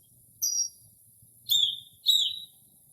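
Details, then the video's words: A Northern mockingbird imitating various birds late at night in early spring, captured from a porch: one very high thin phrase followed by two lower, louder downslurred whistles. "Northern Mockingbird Mimics Different Bird Calls"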